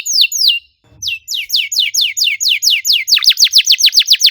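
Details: Canary belting out dense 'cuit cuit' notes as a singing lure: two sweeping chirps, a short pause, then an even series of descending whistled notes that quicken toward the end.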